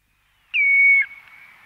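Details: Common redshank close up at Ythan Estuary, Aberdeenshire, giving one clear, ringing whistled note, high and steady with a slight downward slur, about half a second, fading into a faint echo; gulls and waders distant.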